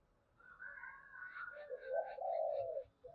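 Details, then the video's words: Spotted dove used as a lure for wild birds, giving a loud, warbling low coo after about two seconds of higher chirping and twittering from other birds. "Tiếng cu gáy mồi chuẩn"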